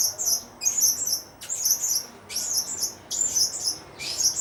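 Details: Blue-crowned hanging parrot uttering shrill, high-pitched chirping bursts, each a quick cluster of squeaky notes, repeated roughly every second with brief pauses between.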